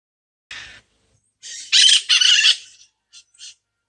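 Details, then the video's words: Parrot giving loud, high-pitched, harsh screeching calls in short bursts, with a long double screech in the middle and a few brief squawks trailing off. "high pitch racket alert"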